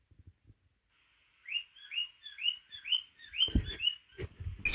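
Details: Male cockatiels (Nymphicus hollandicus) take turns whistling in courtship to a female, giving a run of rising, slurred notes.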